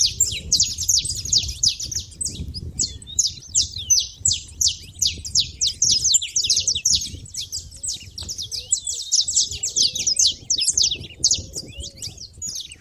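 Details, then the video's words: Busy chatter of saffron finches at a feeder, rapid high chirps packed tightly together in an unbroken flurry, sharp descending notes tumbling over each other, over a soft low background murmur. "canário da terra fazendo barulho na seva"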